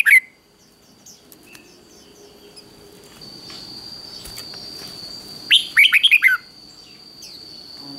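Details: Red-whiskered bulbul song for provoking rivals. One sharp note at the start, then a long quiet stretch with faint background chatter before a single quick phrase of five or six descending, warbling chirps.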